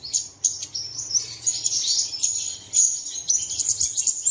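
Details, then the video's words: Early-morning lure for caged birds to sing, with dense high-pitched tweeting and whistled notes running almost without pause, several voices overlapping. "Bật Tiếng Chim Này Lên Vào Sáng Sớm Chim Của Bạn Sẽ Hót Ngay"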